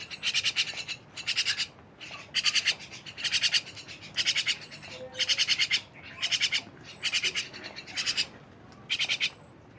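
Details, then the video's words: Myna repeating grating, buzzy bursts of several quick pulses about once a second, fairly regular, over light background hiss. "rame bersama burung jalak"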